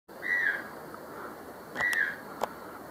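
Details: White-throated toucan calling in secondary forest at Acacías, Meta, Colombia: two loud yelping notes, each slurring downward, about one and a half seconds apart, with a few sharp clicks in the background.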